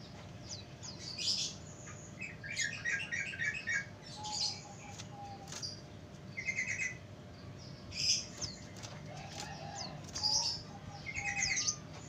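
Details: Yellow-vented bulbul, used as a lure call for wild bulbuls, gives bright, bubbly chirping phrases, repeated every second or two at a high pitch, over a steady low hum.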